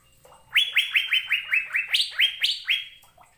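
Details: Asian fairy-bluebird in lively song, one run of about eleven bright whistled notes, each a quick downward slur, delivered steadily at roughly four per second, two higher notes near the end; quiet background.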